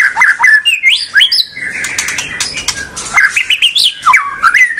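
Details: A white-rumped shama's song, played to prompt juvenile birds into song. Bright whistled phrases leap and fall, separated by a softer stretch of scratchy twittering, then return loud and varied.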